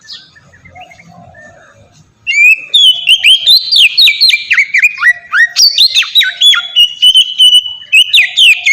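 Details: Soft quiet warbling first, then at about two seconds an Oriental magpie-robin bursts into loud ngeplong song of sliding whistles and crisp chips, a lure for young magpie-robins to start singing.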